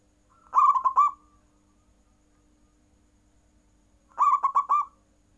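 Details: Cooing zebra dove in full nggayer style that sets rivals calling: two bursts of quick, bubbling coo notes ending in a longer tone, separated by a pause of about three seconds, steady background hum.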